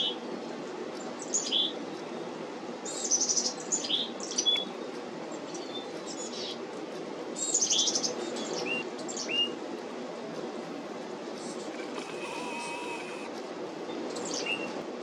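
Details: At a feeder on 17 July 2025, black-capped chickadees call busily. Rapid clusters of high chips and short hooked lower notes come in the first ten seconds, then fade, over a steady low hum.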